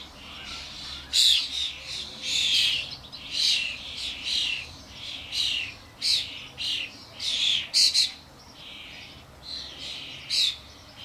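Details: Adult common starlings and their fledglings crowd a garden feeder with suet blocks. Harsh, rasping screeches come in rapid uneven bursts, some overlapping, with short gaps of quiet in between.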